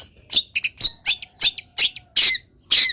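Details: Long-tailed shrike, a caged bird uncovered, misted and set in the morning sun, singing a full varied song: loud harsh chattering bursts and squeaky notes in a quick uneven series, with a faint low hum between them.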